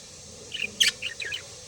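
A budgerigar gives a quick run of bright, scratchy chirps and warbled notes.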